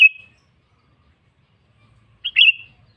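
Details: Sooty-headed bulbul singing persistently while calling a rival, a bird used to train other bulbuls: a brief sharp note, a pause, then a quick burst of bright, bubbly notes fading into a short trill.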